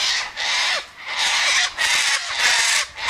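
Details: Sulphur-crested cockatoos feeding on sunflower seeds, wheat and birdseed mix put out by an eastern gate; loud, harsh, grating screeches repeated in long rasping bursts about every three-quarters of a second, nearly continuous with short gaps.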